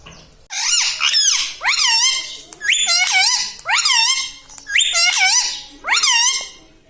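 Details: Talking parrot, known locally as a tota, said to say "me tota". Six or seven loud, rising-and-falling, harsh squawks repeat roughly once a second in a steady series, recorded indoors.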